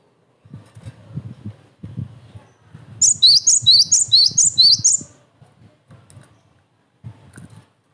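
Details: Training and provoking recording of a cinereous tit: one two-second phrase of six evenly repeated high notes, each slurring down into a lower note, over steady low background rumble.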